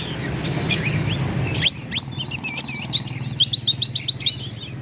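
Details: Oriental magpie-robin in full song aimed at provoking rival birds to fight. A muffled start gives way to crisp rising whistles, clicking notes and fast repeated chirps about four a second, over faint low hum.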